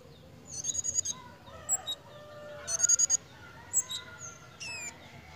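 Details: Pied fantail in breeding condition: two rapid bursts of high squeaky notes with thin chips, over lower whistled tones and clucking sounds from other birds in the background.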